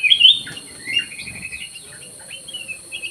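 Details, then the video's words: Black-crested bulbul singing vigorously in an aviary: a loud bubbling whistled phrase at the start, then a softer trill of rapid repeated notes and a few thin whistles. "KUTILANG EMAS GACOR"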